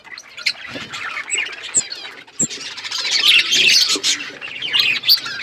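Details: Budgies in an outdoor aviary flock: a steady overlapping babble of warbling chirps that grows louder and busier toward the end, with scattered sharp squeaks.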